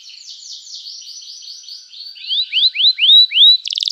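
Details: Canary song played to get other canaries singing: a soft rolling trill followed by five loud rising whistled slurs and a brief buzzy burst at the end.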